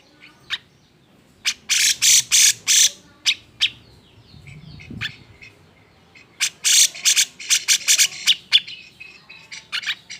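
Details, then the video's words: Cucak jenggot in agitated song used to trigger singing in other birds: clusters of harsh broadband bursts and sharp chirps separated by a quieter stretch with faint low background noise. "Gunakan Suara Jenggot EMOSI ini untuk MEMANCING CJ yang MALES BUNYI"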